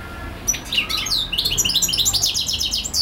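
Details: European goldfinch in a long non-stop song: after a quiet start, quick high chirps build into a fast, rhythmic run of bright tinkling, buzzy notes repeated in rapid succession.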